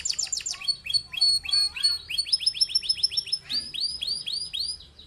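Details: Singing male canary whose long rolling song is used to teach other birds: rapid descending whistled notes, fast chattering runs, then evenly spaced arched whistles repeated several times per second.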